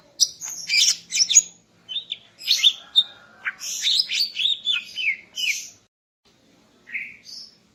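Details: Female greater green leafbird singing in the morning to arouse the male: a lively run of high chirps and sweeping whistles with short trills, a brief lull, then a final pair of clear whistled notes.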